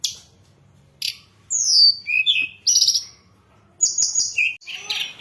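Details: Recording of hill blue flycatcher song meant as a lure and training aid: a few loud, bright whistled phrases, some descending and some flat, separated by brief silences.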